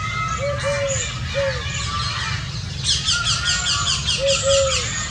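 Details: Indian scops owl, one of a family of five enjoying water in hot summer weather while an unhappy thirsty crow shouts nearby; short low arched hoots in pairs, then harsh repeated crow-like bursts over steady background hum.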